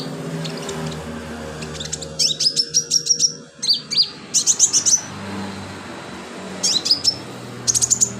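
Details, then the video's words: Sunbird singing vigorously, as used for tutoring other cage birds; short bursts of rapid, sharp, very high chirps and ticks in repeated phrases separated by brief pauses, over a faint low background hum. "BURUNG KOLIBRI/CONIN GACOR buat isian"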